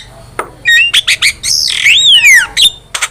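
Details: Vigorously singing Javan myna, a master recording for training cage birds: a run of harsh squawks, then a long whistled note rising and falling, followed by clipped chirps.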